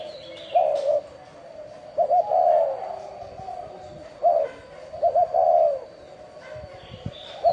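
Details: Spotted dove with a chuông đồng (bronze-bell) voice, calling to lure wild doves and stir up males and females. Clear phrases of a stuttered double note and a long falling coo, about every three seconds, with occasional distant chirps and taps.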